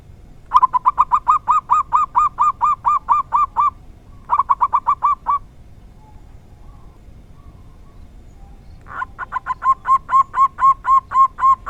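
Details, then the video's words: Zebra dove, local type, with its rarely heard 'dor tak kowor kowor' song, delivered as three bursts of rapid, evenly repeated arched cooing notes separated by short silences. "Perkutut lokal dor tak kowor kowor suara langka sangat jarang bisa ditemukan"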